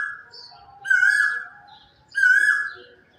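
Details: Quail singing in the silence of morning: two loud, drawn-out whistled notes, each level then dropping at the end, about a second and a half apart, over a quiet background.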